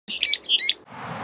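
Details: Orphaned Eastern spot-billed ducklings, from a first brood 25 days old and a second brood 2 days old, approach adult ducks as if seeking new parents, giving a quick burst of high, thin peeps, about six notes in under a second, over soft background hiss.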